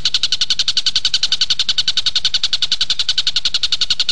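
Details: Kingfisher, locally tengkek buto, used as a master recording to train captive magpie-robins: a dense, regular run of sharp, clear notes at nearly four per second, loud and continuous throughout.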